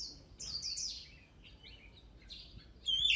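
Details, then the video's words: Softer oriental magpie-robin song: blurred, slurred whistles and short phrases over a steady background hiss, ending with a clearer, louder wavering whistle. "Luyện giọng chòe than HÓT HAY || Kích chòe than hót căng lửa || Suara Burung Kacer Gacor 2023"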